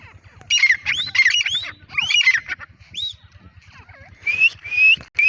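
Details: Female black francolin calling: a series of squeaky, upward-sweeping whistled notes in short clusters, then a few longer rising whistles near the end, with a faint low rhythmic pulsing underneath.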